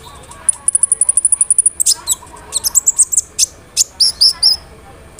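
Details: Sunbird song played to coax other sunbirds into answering: opens with a fast, even trill of thin high ticks, then breaks into scattered sharp chirps and short slurred whistles at very high pitch.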